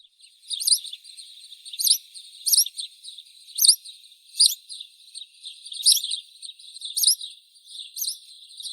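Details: House sparrow song: bright, chirpy notes repeated in short bursts about every second, each chirp sharply rising and falling, with a steady faint hiss between phrases and no other birds.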